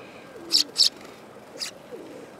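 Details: Sparrow in autumn, 18 September 2013: two sharp, high chirps close together, then a softer third one, with low soft cooing from a dove in the background.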